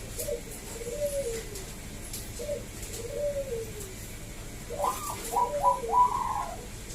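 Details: Zebra dove from the wild, singing as a lure for other doves: soft, arching coos repeat every second or so, then a louder run of choppy, rattling notes closes the passage, over low hum.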